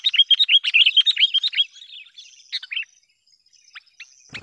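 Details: A Sooty-headed Bulbul used as a lure to provoke wild bulbuls gives a fast run of bright, chattering notes, then a few scattered sharp calls and a soft click at the end.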